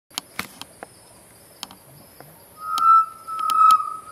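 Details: A chestnut-necklaced partridge at Bukit Wang gives a clear, steady mid-pitched whistle lasting over a second, after a few sharp clicks and taps in the background.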